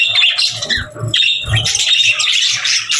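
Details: Several budgerigars trade short squeaky chirps, warbled slides and rough squawks in quick bursts, with brief dips between phrases and constant twittering behind.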